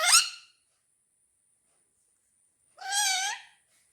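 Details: Two pet parrots indoors fight over a football. Two harsh, harmonic squawks: a short burst at the start, then a longer rasping one about two and a half seconds later, with quiet between.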